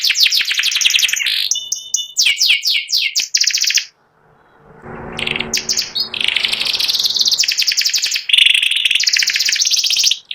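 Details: White panda canary, caged, ngeriwik song in bursts: quick chips and whistled doubles, a short break with low background noise, then loud fast trills.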